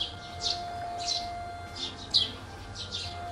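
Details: Morning birdsong outdoors, with quiet background music turned down; high bright chirps in quick bursts about every half second, alongside steady faint tones and low rumble.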